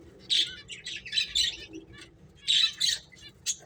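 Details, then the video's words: Finches at play, short clustered high chirps in two bursts separated by a quiet gap, with a single chirp at the end. "Beautiful Birds Chirping Sounds | Cute Finches Playing"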